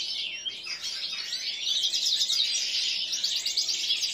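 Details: A 7-month-old common linnet × canary hybrid sings a continuous, rapid twittering song of high chirps, trills and short warbled phrases, growing louder and fuller toward the end.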